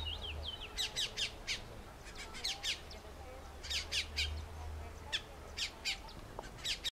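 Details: Endemic Colombian mountain grackle, oak-forest bird of the Eastern Andes near Bogota, with a brief whistled note at the start, then series of sharp, harsh clipped notes in groups of three to four, low rumble throughout.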